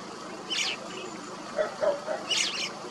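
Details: White-cheeked starling in Korea, a flock-living summer breeder: two harsh, rasping bursts about two seconds apart, with a few softer short notes between them over a steady background hiss.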